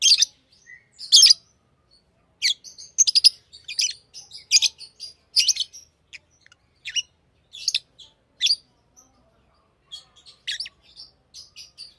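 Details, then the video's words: Lovebirds chatter busily in rapid high chirps and twitters, dense at first, then sparser and softer toward the end. "Love birds Sounds | lovebirds chirping sounds"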